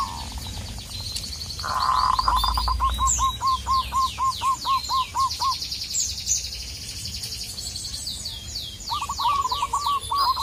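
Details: Local zebra dove from Indonesia calling a rival: a loud, quick series of clipped cooing notes that fades, then returns, while a high buzzy trilling insect or bird runs above and a low rumble sits beneath.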